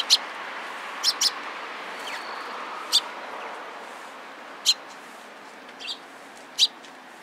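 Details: Sparrows gathering around on 27 April 2017: short, sharp high chirps scattered across several seconds, single or in quick pairs, over a steady soft background hiss.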